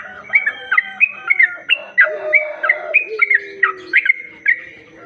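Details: Sooty-headed bulbul lure song meant to attract other bulbuls, heard as busy chattering phrases of bright, bubbly whistled notes tumbling over one another, with a soft low hum behind.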